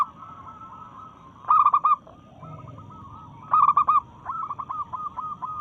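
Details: Local-strain zebra dove in breeding mood, singing to challenge rivals: two loud bursts of rolling, stuttered coos near 1.5 and 3.5 seconds, with softer repeated cooing phrases between them and a final run of clipped notes.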